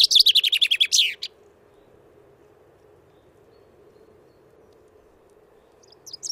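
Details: Wittlicher Tal chaffinch, recorded 2018, delivers one rapid descending trill of bright notes ending in a quick flourish, followed by several seconds of near silence with low hum, then the first notes of another song.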